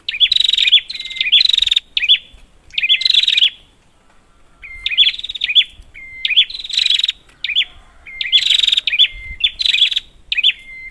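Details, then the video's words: Prinia, used as a lure for prinias that are not calling. Clusters of rapid, harsh, high rattles mix with short level whistles. The clusters are separated by quiet spells, with a longer silence near the middle. "Prenjak, Pancingan ampuh untuk burung prenjak macet"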